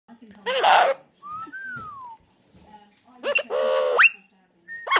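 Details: Mealy amazon parrot, kept as a pet, that talks and whistles. Two loud, harsh, speech-like vocal bursts frame a clear whistled note that rises and then slides downward. A faint low voice murmurs underneath.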